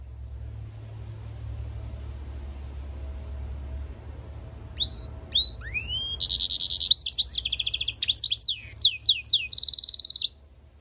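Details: European goldfinch × canary mule singing: after about five quiet seconds with low background hum, bright rising whistles give way to fast, high, buzzy trills and twittering phrases that run to the end.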